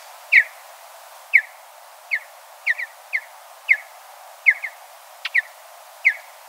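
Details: Mountain bluebird recorded in natural habitat: short, clear, downslurred whistled notes, sometimes paired, repeated roughly once a second over a steady hiss, with no other birds standing out.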